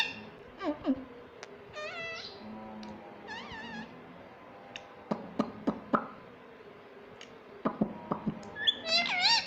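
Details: Pet parrot, a green ringneck, speaking "mummy papa": several short arched harmonic syllables spread through the clip, mixed with frequent sharp clicks and knocks.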